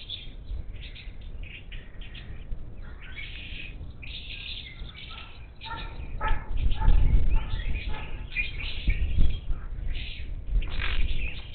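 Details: Wild Monk parakeets at a bird feeder on the outskirts of Houston, Texas, on 10 March 2021 give harsh, grating squawks and chattering calls in rapid, irregular bursts. Several birds overlap over a low rumbling background noise.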